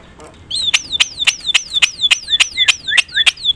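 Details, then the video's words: Loud Javan myna song meant to provoke other mynas: a rhythmic series of about eleven sharp clicks, each trailed by a falling whistled slur, repeated roughly four times a second. "suara KERAS jalak kebo gacor full isian bikin semua burung jalak emosi gacor"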